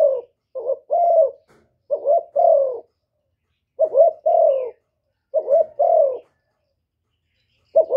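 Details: Spotted dove cooing to provoke males: groups of soft stuttered notes leading into longer mellow coos, repeated at uneven intervals of one to two seconds.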